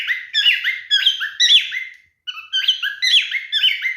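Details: Mating behaviour of a male cockatiel: looping whistled song phrases with rising and falling slides, a short pause in the middle, then the same pattern resumes.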